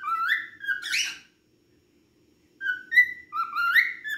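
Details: Singing cockatiel gives upward-sliding whistles with one harsher, noisier burst, goes quiet for over a second, then resumes with clear rising whistled notes.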